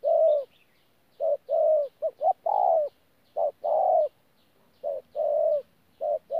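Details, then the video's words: Wild-caught spotted dove recorded in Tu Mo Rong on 14 January 2019, thổ style with gù cooing: uneven groups of short and long low coos, a faint high chirp of another bird at the start. "BỔI THỔ PHA GÙ QUÁ TỐT"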